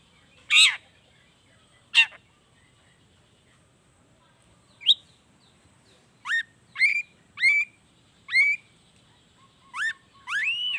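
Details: Long-tailed shrike in loud 'gacor' song with natural fill phrases, used as a lure so lazy shrikes start singing. Two harsh rasps, a pause, then a run of clear upward-sweeping whistled notes spaced about half a second apart.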